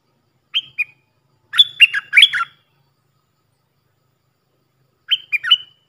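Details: Puff-throated bulbul kept as a decoy for teaching young birds: two isolated chirps, then a dense run of twisting whistled notes, and a shorter three-note phrase after a pause.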